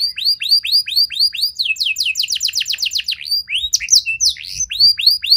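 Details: Canary song played to prompt other canaries to answer and sing long phrases: bright whistled notes sliding downward, repeated about every quarter second, then a fast rolling trill and mixed chirps before the sliding notes return.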